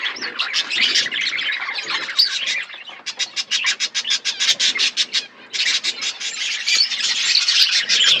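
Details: Aviary budgerigars in a forest environment fill the air with dense high chirping. A stretch of quick, evenly spaced clicky tick notes runs through the middle, and loud warbled twittering surrounds it.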